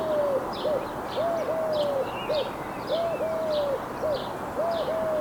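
Eurasian collared dove giving soft, hollow three-note coos, a short note, a long drawn note, then a short one, repeated steadily. Faint chirps of other small birds sound behind.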